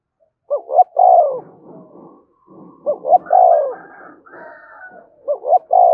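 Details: Spotted dove cooing to provoke fighting: three phrases, each two short quick coos followed by a longer, falling, throaty coo, repeating about every two and a half seconds, with fainter, higher wavering sounds filling the gaps.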